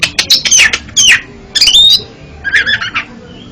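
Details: Oriental magpie-robin (kacer) singing, played as therapy for a stuttering kacer: four short broken phrases of harsh, squawky notes with a quick rising whistle in the third, separated by brief pauses.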